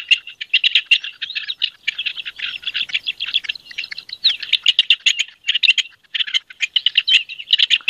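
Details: Courting rock partridge in the C.A.CN5 area of Italy, giving a continuous run of rasping, chattering notes repeated in quick rhythmic bursts for several seconds, nearly without pause.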